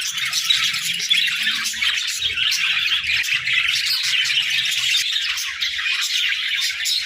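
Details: Budgies chirp together in the morning: a steady, dense chorus of high warbling twitters and chirps, evenly loud from start to finish.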